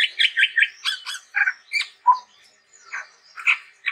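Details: Chestnut-rumped babbler in full vigorous song, a fast series of harsh, scratchy chattering notes mixed with a short whistled note and scattered rasping calls.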